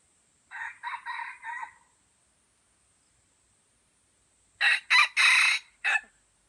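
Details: White-legged F1 junglefowl from Aceh gives a four-syllable crow lasting about a second, hoarse and evenly banded. After a pause come four loud, harsh broadband bursts.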